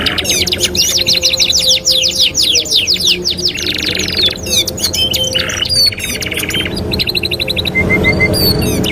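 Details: Master song of a canary for training other canaries, opening with rapid descending rolled notes, then buzzy chattering bursts, clipped trills and a few short whistled notes near the end, over steady low hum.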